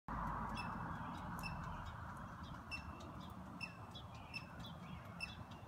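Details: Birds sing from the tallest trees around a garden in Portland, Oregon, early on Easter morning 2016: short, high, repeated notes and chirps, several per second, over a steady low rumble of background noise.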